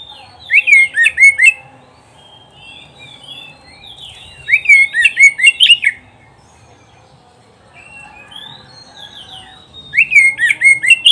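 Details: Kacer, the oriental magpie-robin, singing in a recording meant to train pet birds: three loud bursts of fast, varied whistles and sharp chirps, each lasting about a second and a half, separated by quieter pauses with soft warbling.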